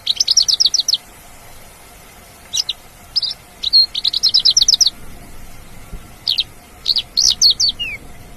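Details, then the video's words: Energetic song of a Mongolian lark in nature, with a quick burst of high chirps, a gap, and then more rapid chirp runs, ending in a short downward-sliding note; a faint steady hum sits in the background. "SUARA ASLI MONGOLIAN LARK GACOR DI ALAM"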